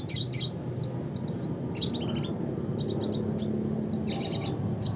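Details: Classic red siskin song, Spinus cucullatus: bright high chirps and sharp whistled notes in uneven groups, with quick stuttering chip series near the end, over a steady low rumble.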